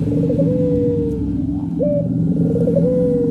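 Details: Puter pelung dove cooing in a training recording of two birds: long low coos with a slight warble, each tailing downward, over a steady droning hum throughout.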